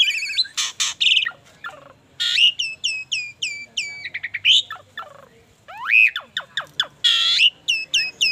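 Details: An Asian pied starling, bald, delivers a busy, varied medley of harsh squawks, grating buzzes, rapid repeated chirps and an arching whistled note, in loud, irregular bursts with short pauses.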